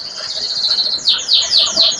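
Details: A male Yorkshire FOI Panda canary in a breeder's aviary sings a bright, high warble that breaks into quick downslurred notes, about four a second, with a little voice in the background. Finding: Belgian canary.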